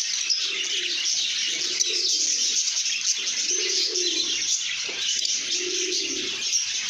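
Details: Cheerful lovebirds in good mood chirping all together, dense high twittering throughout, with several mellow low coos drifting underneath.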